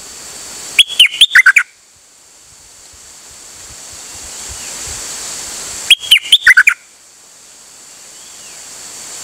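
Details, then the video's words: Two short bursts of sharp, staccato whistles from a dok taeng bird, recorded 8 September 2023, about five seconds apart over a steady hiss of background noise. "เสียงนกดอกแตงEp.187 จ้าวขันเงิน นานๆออกเที่ยวสับไม่หยุด!!"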